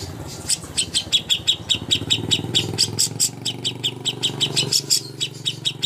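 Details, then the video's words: Contest master song of a greater green leafbird: regular high chirps repeated several times per second over a steady low hum of background noise. "masteran ampuh untuk burung cucak hijau Lomba"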